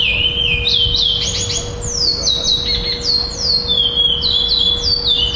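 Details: Black chestnut-bellied seed finch singing at a singing tournament in Florianópolis, Brazil, on 11 December 2011, placing second. It gives clear whistled notes that slide down and repeat in a quick, varied phrase. A steady low electrical hum runs underneath.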